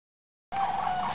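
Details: Sandhill crane at MacCready Preserve, Jackson County, Michigan, giving a loud, harsh, rolling raucous call held for under a second after a moment of silence.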